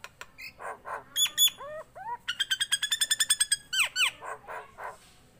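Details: Actively singing tame Nias hill myna: soft hoarse notes, then upswept whistles and a rapid even series of ringing metallic pips, closing with falling whistled slurs and breathy calls.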